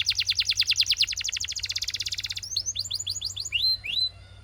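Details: Belgian canary in full voice, opening with a long, very rapid pulsing trill lasting over two seconds, followed by quick rising chirps and two clear whistled upslurs.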